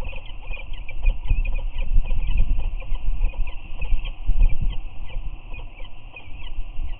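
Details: Two adult peregrine falcons visit their eyrie on Anacapa on March 8, 2019, giving chirping greeting calls with head bows; fast, high chirps repeated throughout over heavy low wind rumble.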